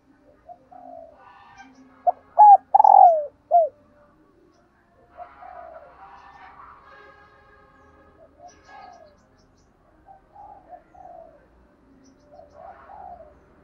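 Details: Female dove calling to stimulate males: a loud burst of four or five short cooing notes, the longest bending down in pitch, then soft, quiet murmured coos spread through the rest of the recording.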